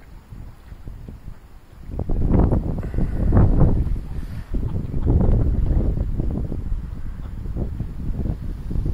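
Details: Heavy wind buffeting and low rumbling gusts, possibly with water movement, but no calls from any animal.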